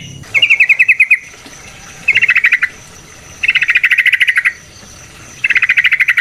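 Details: Yellow-vented bulbul sounds used as a lure to make other bulbuls sing: four bursts of fast, buzzy, rattling chatter, each about one second long with short pauses between.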